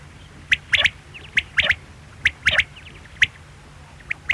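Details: Quail gives crisp, high, clipped notes, singly and in rapid doublets and triplets, repeating every second or so against low, steady background hum.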